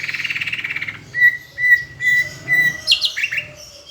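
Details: Greater green leafbird from Palembang, a tutor recording of song with Asian brown flycatcher imitation: a pulsing buzzy trill, then four level whistled notes repeated about every half second, ending in sharp high chips.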